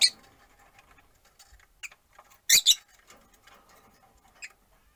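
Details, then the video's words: Rosy-faced lovebirds, four pet birds in a cage by a window, one on a perch; a few sharp, high, scratchy chirps, the loudest a double burst midway, over quiet room background. "Lovebird Chirping Sounds"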